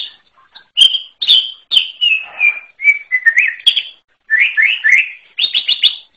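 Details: Greater green leafbird from the wild giving clear whistled notes that slide downward, then rising slurred phrases and a fast ending of sharp repeated chips.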